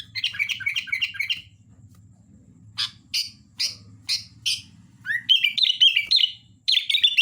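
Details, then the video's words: Sooty-headed bulbul singing energetically: fast bursts of bright chirped notes, then spaced sharp chips and a run of rising, whistled warbled phrases, over a steady low electrical hum. "Suara Kutilang Gacor Dorr"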